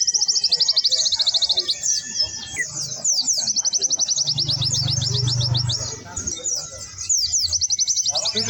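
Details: Energetic white-eye (pleci) song with dense, shrill rippling trills and chattering slurs, continuous throughout. A steady low hum, louder in the middle, runs in the background.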